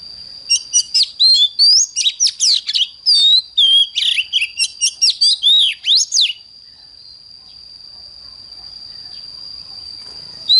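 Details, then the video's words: Morning song of an oriental magpie-robin, the fiery 'căng lửa' style: about six seconds of fast, varied whistles, trills and sharp rising slurs in dense bursts, then near silence under a constant high whine. "Chích choè than hót sáng || Luyện choè than HÓT CĂNG LỬA"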